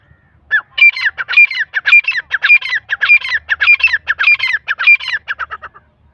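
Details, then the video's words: Francolin, locally called Irani teetar, calling loudly: a rapid chattering run of harsh, squawky, broken notes lasting about five seconds, with a brief higher clear note recurring roughly every half second, over a quiet background. "Irani teetar ki awaz"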